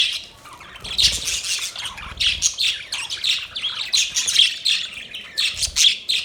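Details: Chattering budgerigars give bursts of raspy, high chirps and squeaky notes in irregular clusters, with a quiet pause at the start and brief low thumps beneath.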